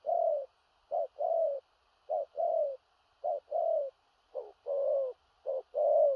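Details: Spotted dove cooing in 'thổ rặc' style: deep, hoarse phrases of a short note followed by a longer slurred coo, repeated about once a second, with a faint high-pitched hum in the background.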